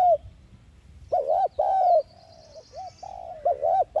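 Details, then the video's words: Decoy cooing of a spotted dove used to prompt other doves to call quickly: soft, rounded double coos followed by shorter bouncing notes, a thin high twittering trill running faintly above. "Tiếng Cu Gáy Mồi Chuẩn THÚC GÙ CỰC VÍP ÂM RẤT TỐT Kích Bổi Nhanh Nổi/Cu Đất Gáy Giọng Hạp Bổi"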